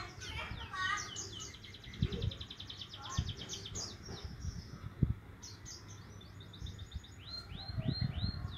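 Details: Young Javan munia trying out its chirps, with rapid strings of high ticking notes and arching whistles near the end, partly masked by loud low background noise.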